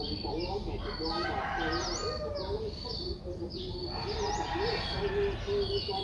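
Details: Six-day-old Streak-eared Bulbul chick recorded 8 April 2023 in Ubon Ratchathani, Thailand, giving rapid thin high-pitched squeaks with short V-shaped notes, alongside lower warbling chatter and steady background hum.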